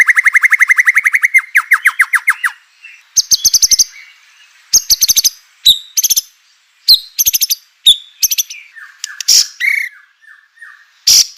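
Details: White-rumped shama song meant to stir other shamas to sing. It opens with a fast, steady trill of repeated notes, then breaks into varied high chips, short buzzy bursts and whistled slurs with brief pauses.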